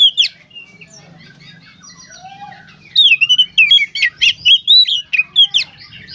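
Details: Gacor konslet song of an Oriental magpie-robin, meant to get others singing: a sharp opening note, quiet scattered twitters, then a strong, evenly paced series of loud whistled chirps and rising slurs.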